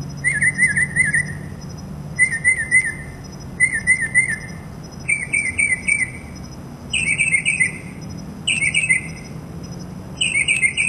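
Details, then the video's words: A mockingbird outside a window, in an unedited recording, sings bright, chirpy phrases in quick repeated bursts, switching to higher-pitched phrases partway through, over a steady high hum and low background rumble. "Mockingbird Song"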